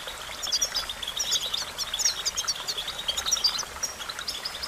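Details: European goldfinch training song: dense, fast, high-pitched twitters and sharp chirps in clustered phrases, peaking around the middle, with a steady background hiss.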